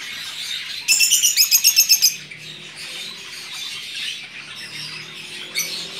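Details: Rosy-faced lovebirds newly arrived at home: a fast run of about ten shrill, harsh chirps in just over a second, then softer chattering in the background.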